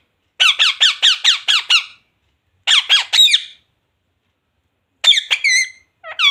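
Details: A pet parrot indoors giving harsh squawks: a rapid run of about seven sharp repeated notes, then shorter bursts of three and two notes after pauses, with quiet gaps between.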